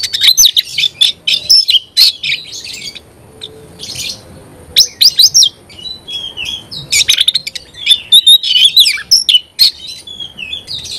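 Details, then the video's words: Oriental magpie-robin in full, energetic song meant to stir other magpie-robins: bursts of high whistles mixed with harsh, scratchy notes and rapid chirps, broken by brief pauses. "Kacer gacor bikin kacer ngobra KONSLET"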